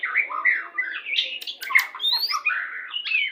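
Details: Lure song of a white-rumped shama in the "pastol" style, used when pairing birds to hasten breeding condition; dense, rapid mix of rich whistles, harsh squawky notes and sharp clicks with no pauses.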